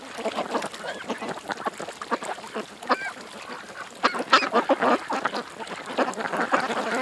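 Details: Several ducks at a creek give scattered harsh quacks, with a few thin rising whistled notes mixed in and louder bursts toward the end.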